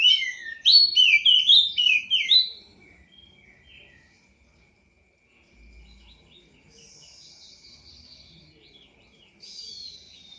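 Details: Poci bird (prinia) kept and bathed every night for song contests opens with a rapid, loud sequence of high, choppy twittering notes for about two seconds, followed by quiet with faint distant high chatter.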